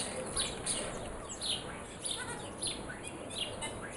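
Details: Morning bird song: short, high chirps and sharp downward tweets come in bursts over a steady background hiss.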